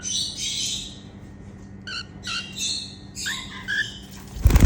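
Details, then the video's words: Female cockatiel making happy sounds: short high chirps and squawky notes with stacked harmonics, a brief pause, then a quick run of chirps, with a steady low hum behind and a loud rustling burst at the end. "Female cockatiel singing & making happy sounds"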